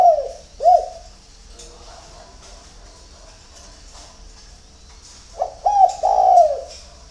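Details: Morning song of a spotted dove at a Ba Vì, Hanoi bird garden in Vietnam: two swooping coos, a quiet gap with faint murmuring, then three more coos in quick succession, the final one long and falling.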